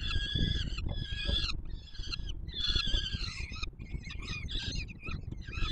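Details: Young peregrine falcons at a nest on the Palace of Culture and Science, Warsaw, being fed by the male, July 2022; loud, rasping, harmonic screams repeated in short bursts with brief gaps, steady low hum beneath.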